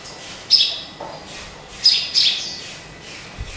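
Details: High, piercing chirps from a caged sparrow kept as a pet. One note is followed by a gap, then a close pair. A soft low knock sounds near the end.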